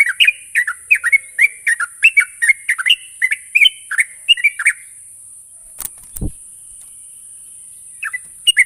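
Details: Sooty-headed bulbul (trucuk) used as a lure to make birds sing quickly and continuously: rapid cheerful chirps and slurred whistles for about five seconds, then a sharp click and low thump, near-silence, and a few final notes.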